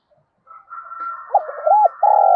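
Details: Spotted dove used as a decoy in the forest, luring wild doves to come and fight. Low mellow coos, first rapid looped notes, then a sustained coo, over a thin steady whistle-like tone in the background.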